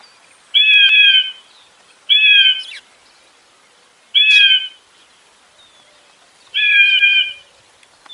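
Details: Raptor screams for deterring pigeons and other birds: four loud, harsh, level cries spaced one to two seconds apart, with quiet gaps and a few soft clicks between.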